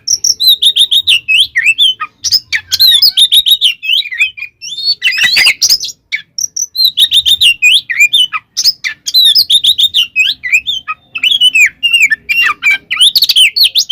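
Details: Oriental magpie-robin in a full 'tarung konslet' fighting song meant to rile rival magpie-robins. Long, rich run of whistled, warbled and scratchy phrases, rising and falling quickly, with only a few short breaks and clear, clean backing.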